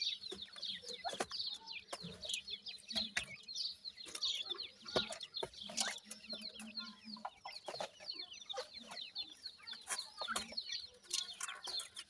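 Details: A brood of francolin chicks (dakhni teetar) peeps continuously, a dense wash of very high, thin, downward-sliding notes, with scattered clicks and light knocking underneath.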